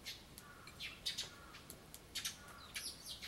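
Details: Young sparrows fighting, with an adult nearby, recorded 16 June 2011: short, high chirps in irregular bursts, some rising or falling, scattered through the clip against quiet background noise.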